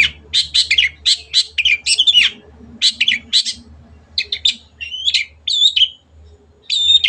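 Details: Song of a caged long-tailed shrike, used as a recording to train other birds to sing: dense runs of scratchy, chattering notes mixed with short whistled slurs, delivered in quick bursts over a soft low hum.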